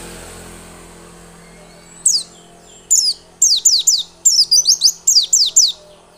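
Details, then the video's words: White-eye song used to lure birds into lively singing: after low background hum, a spaced series of sharp, high, downward-slurred whistles grows into quick pairs and triplets. "Pancingan pleci biar gacor dan ngotot."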